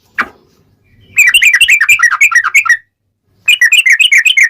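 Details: Yellow-vented bulbul singing actively in fighting mode, with a long rapid roll of notes. After one sharp note, a fast bubbling chatter of rich warbled notes runs for about one and a half seconds, then breaks off and starts again.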